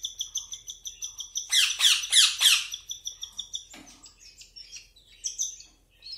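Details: Baby cockatiels under hand feeding call in rapid, rhythmic, nasal chirps, about three to four a second, swelling into louder raspy pulses, then trailing off into softer scattered notes.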